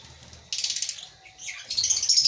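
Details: African lovebirds in a breeding colony: after a quiet start, a burst of harsh, high chirping chatter, then a pause and a second, louder run of shrill rapid chirps to the end.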